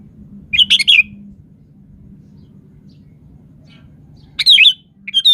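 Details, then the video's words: Energetic sooty-headed bulbul used to lure other birds into replying, giving a bubbly, tumbling phrase, then a second similar phrase about four seconds later and a short clear note at the end, with a constant low hum behind. "SUARA BURUNG KUTILANG GACOR"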